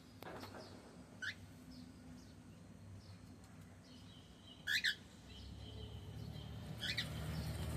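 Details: Male cockatiel giving three short, sharp rising chirps spaced a few seconds apart, the loudest a double chirp near the middle, over a steady low hum and background rumble.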